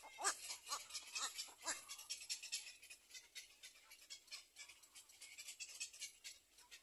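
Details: Little black cormorant at its nest, with the mother bird covering her chick, giving rapid, raspy, hissing bursts about two per second, loudest at first and then softer and more uneven.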